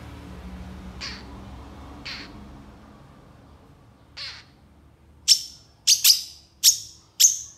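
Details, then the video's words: Long-tailed shrike giving rough, harsh notes, first three spaced and soft, then five loud, sharp scolding calls in quick succession near the end. "SUARA PENTET GACOR DOR EMOSI TEMBAKAN PANJANG"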